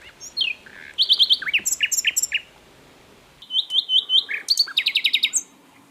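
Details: Asian brown flycatcher in full song: rapid high, sharp trills and slurred chirps in two dense phrases about a second apart, each notes-run delivered quickly and brightly.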